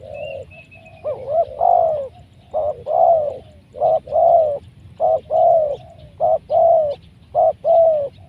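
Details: Big-voiced spotted dove calling at a decoy trapping session; a steady series of four phrases, each a short double note followed by a long, strong, downward-sliding coo, roughly every 1.3 seconds, with one faint high whistle at the start.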